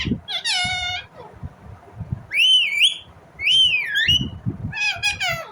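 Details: Indian ringneck parrot producing varied shrill calls: a harsh buzzy screech, two swooping, wavering whistled squawks, then a rapid rasping burst, with low background rumble.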